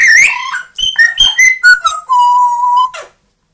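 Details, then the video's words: Pet parrots indoors, a two-year-old grey parrot and a one-year-old Amazon, whistling a tune: clear tonal notes stepping down in pitch, ending on a long steady whistle held for about a second. "quelques mot et bruitage des perroquets"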